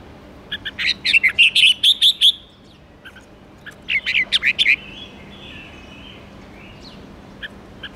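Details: Red-whiskered bulbul kept as a cage bird, singing the fast 'ché' style to fire up rivals: two lively bursts of rapid ringing notes, the first a long even series, followed by faint scattered chirps.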